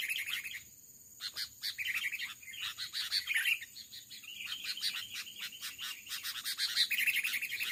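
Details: Sooty-headed Bulbul, a fierce wild male trapped with a decoy in rubber-plantation undergrowth and fighting on a perch, with dense, continuous scratchy chattering and rapid bubbly notes, pausing briefly near one second, then resuming without break.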